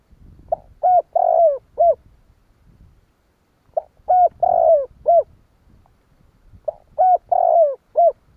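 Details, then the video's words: Spotted dove giving its coo used to trigger wild doves to call, three phrases spaced about three seconds apart, each short note, coo, long sliding burred coo and short end note, with soft low background noise. "Tiếng chim cu gáy kích bổi nhanh nổi"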